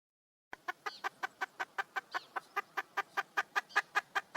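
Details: Female red junglefowl calling for a male: after a half-second of silence, a steady series of short, sharp clucks, roughly two and a half per second, each broadband and similar, with faint background noise.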